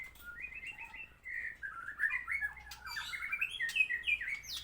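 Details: Post-moult white-rumped shama song, a string of short rising whistles building into a quicker, varied warble with sharp high notes.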